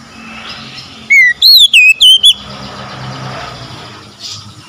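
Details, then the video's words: One phrase of Oriental magpie-robin song for reviving stressed, silent birds: a rising-then-falling whistle leading into a quick series of five loud, bouncing whistled notes, with steady low background noise. "TERAPI TERAMPUH PEMULIH KACER SETRES BISU MACET BUNYI LANGSUNG GACOR"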